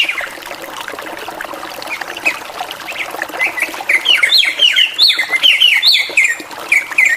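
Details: Drongo in full varied song: soft chattering builds into a lively series of bright, rising-and-falling whistled notes repeated several times a second, with a light trickling-water background.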